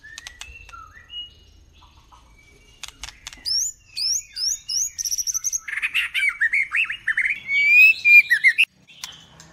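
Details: Female white-rumped shama in first plumage giving a varied song. It opens with scattered whistles and clicks, then a fast series of high, repeated upswept notes, and ends in dense warbling, looping phrases that rise and fall.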